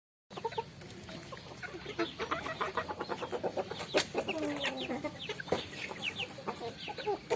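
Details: Farm chickens eating rice, a flock giving dense overlapping clucks and short chirpy calls, with pecking clicks and a few drawn-out calls in the middle.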